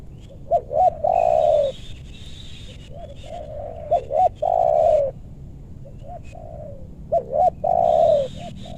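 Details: Luring wild spotted doves in West Bogor meranti forest, targeting big-voiced birds; loud coo-coo-croo phrases roughly every three seconds, with thin high chirps of another bird in the background.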